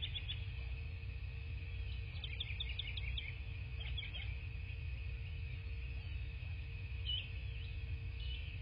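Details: At a southwest Florida nest, a bald eagle gives a rapid burst of thin, high, stuttering chitter notes, then a few scattered squeaks. Nest camera, 17 March 2024, morning, with steady low background hum.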